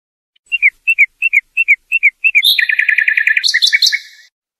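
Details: Song of a European goldfinch meant for tutoring fledglings, opening with paired clipped notes repeated about every third of a second, then a rapid rattling trill and high tinkling twitters.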